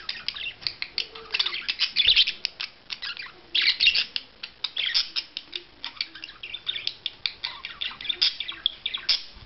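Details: Budgerigar courtship display: dense, bright, scratchy warbling with rapid chirps and clicks, growing louder in short surges then continuing as quick ticking chatter.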